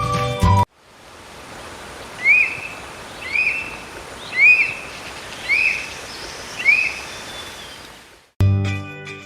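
Black Eagle giving six short, shrill upslurred whistles, one about every second, over a steady background hiss; brief music frames the calls.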